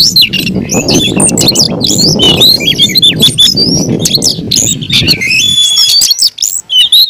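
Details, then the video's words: Oriental magpie-robin, a caged bird, in an aggressive fighting song of rapid whistles and sharp chirps over a steady low rumbling background that fades after five seconds. "kacer gacor tarung ngotot agresivitas"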